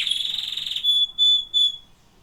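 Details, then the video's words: Singing canaries: a fast, high buzzy trill gives way to three sustained pure whistled notes on one steady pitch, each about a third of a second long, then silence. "Singing canaries"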